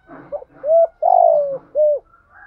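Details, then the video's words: Spotted dove stimulating call meant to provoke cooing: one phrase of a short soft note, a mellow level coo, a long falling purr-like coo, then a final clear coo, with faint low murmurs before and after. "cu gáy thúc gáy gọi, tiếng chim cu gáy kích bổi nhanh nổi gù gáy gọi"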